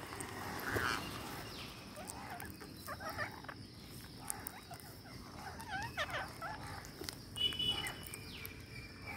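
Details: Green parakeets at feeding, with a burst of harsh, chattering mid-pitched calls repeated irregularly over several seconds, amid background hiss and a few sharper squawks toward the end.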